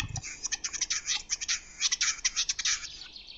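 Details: Male Western capercaillie singing in Lithuania: a fast, irregular run of dry clicks and scraping, rasping bursts lasting over three seconds, with no other clear sounds.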